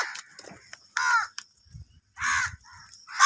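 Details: Crow; caw; aggression while fighting over food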